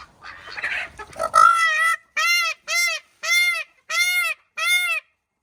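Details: A three-year-old male Indian blue peafowl gives six loud, nasal, honking calls, each about half a second long, repeated at a steady pace after a brief burst of rustling noise.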